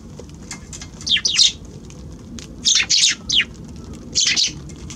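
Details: Eurasian tree sparrows visiting a balcony on January 6 give short, bright, downward-sliding chirps, mostly in pairs and small clusters, with quiet gaps and faint background rumble.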